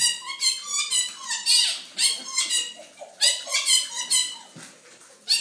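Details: Pet quaker parrot indoors, excited as a nurse puts on gloves: loud, harsh, strongly harmonic screeching calls in rapid bursts, some rising then falling, with short pauses between bursts, in a small room.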